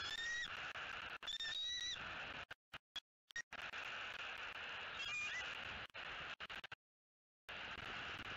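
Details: Wild female bald eagle at a Southwest Florida nest on 3 November 2018, captured by a nest camera, squealing with excitement as her mate arrives carrying food. Thin, high, whistled squeals rise and stutter in three short bursts over a constant loud hiss with brief dropouts.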